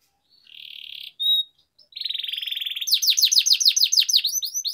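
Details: Canary's rolling song, played to get lazy canaries singing: a buzzy trill, a brief pure whistle, a second longer buzz, then loud rapid down-slurred notes repeated about three times a second.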